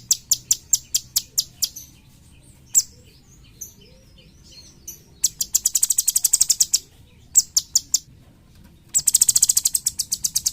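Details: Cucak cungkok (bulbul) sung for training songbirds. Spaced high chirps give way to pauses and scattered notes, then break into fast, dense rattling bursts of shrill ticking.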